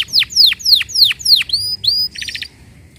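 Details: Canary song for stimulating other canaries to sing: five loud downward-sweeping whistles, two rising whistled notes, then a short quick trill.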